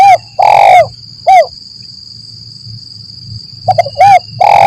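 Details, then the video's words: Spotted dove lure call for trapping in forest, 'lambung Kuk 1 Mersik' style: quick stuttered low notes, a clipped coo, a long loud coo and a final coo, the phrase repeated about every three and a half seconds; steady high whine throughout. "Suara Burung Tekukur Gacor || Pancingan Suara Tekukur Paling Di Cari Pemikat"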